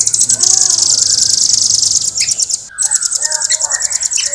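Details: Velvet-fronted nuthatch singing in clear, fast, tightly packed long rolling trills, very high and buzzy, pulses running together for over two seconds, then a brief pause and a second rapid trill with a few lower notes.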